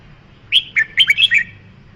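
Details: Red-whiskered bulbul giving a cheerful whistled phrase of about six quick notes, swooping up and down in a bubbly rhythm, with quiet low hum in the background.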